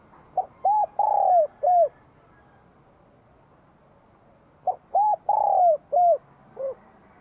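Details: In spring 2023 in Vietnam, a spotted dove with a bell voice repeats its cooing phrase twice, about four seconds apart. Short notes frame a long, descending central coo, with a soft tail note after the second phrase.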